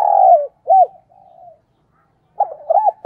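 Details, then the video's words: Decoy spotted dove with a mixed voice of urging and calling coos. A loud sustained coo, a rounded hoot and a soft trailing note come first. After a silence, a quick group of bowed, hooting coos follows. "tiếng chim cu gáy mồi chuẩn cực hay giọng đồng pha thúc & gáy gọi"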